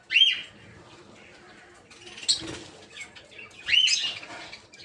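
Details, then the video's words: Shrill, high chirps from aviary peach-faced lovebirds kept for breeding. Red-headed green opaline, red-faced dark green, blue rosy and lutino birds are present. A loud squeal opens and another comes near the end, with soft chatter in between. "Peach-Faced Lovebird's Sounds"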